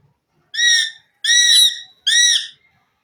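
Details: Indian ringneck parakeet kept as a talking pet: three loud, arched, harmonic-rich calls, each about half a second long, spaced roughly every three quarters of a second in a quiet room.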